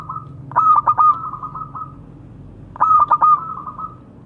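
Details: A local zebra dove calls out to its companions. Two phrases, about two seconds apart, each opening with rapid clipped cooing notes and trailing into a gentle purring roll. There is a quiet low background rumble.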